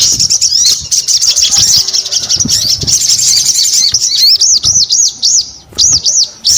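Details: Crested Jay singing with energy: rapid high chatter giving way to a run of five evenly spaced arching whistles, then more loops.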